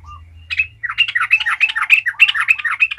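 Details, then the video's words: Yellow-vented bulbul, called trucukan, singing gacor ngalas to provoke other bulbuls: after a brief low whistled note, a continuous, fast stream of bubbly, chattering notes with repeated bright accents for over two seconds. "Trucukan gacor ngalas ahlinya bikin trucukan lain kepanasan langsung jadi gacor ngalas"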